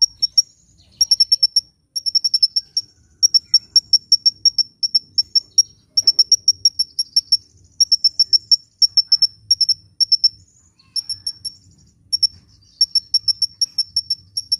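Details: Lively hummingbird song for luring birds and encouraging lazy singers: long runs of rapid, thin, high chirps, bursts lasting one to two seconds with brief silences between them.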